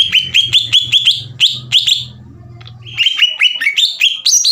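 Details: Green leafbird in energetic song meant to make a rival emotional and singing: quick runs of rising whistled notes repeated several times a second, a short lull, then more bright sliding phrases; a low hum underneath early on.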